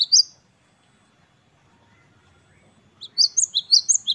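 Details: Great tit (Parus major), known locally as gelatik batu of the wingko type, in 'wucit2 kristal' song: a single bright note, then a near-silent pause, then a quick run of high, clear two-note phrases.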